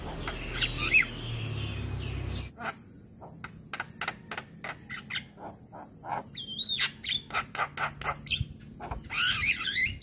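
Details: Male Javan myna song, played to prompt reluctant or moulting mynas to sing: noise for two seconds, then a run of sharp clicks and short harsh notes with a few high whistles and a closing burst of chatter.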